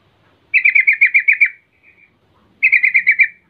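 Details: ['Lure call of a yellow-vented bulbul, meant to draw replies from other bulbuls: a quick, bright run of about eight buzzy notes, a faint short trill, then a second similar run two seconds later.']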